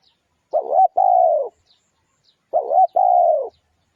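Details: Spotted dove, a lure recording, singing two phrases two seconds apart, each a short rolling coo followed by a longer steady hooting coo, low and clear with nothing else audible.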